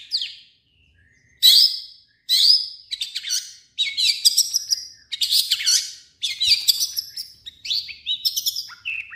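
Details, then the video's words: Long-tailed shrike singing a mixed song with other birds' sounds copied in, loud harsh bursts and twittering phrases of varied swept notes, with short gaps between them. "MASTERAN BURUNG CENDET"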